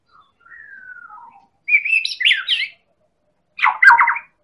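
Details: White-rumped shama from Medan singing as a lure for other birds: a soft falling whistle, then a loud warbled trill and a final dense buzzy burst.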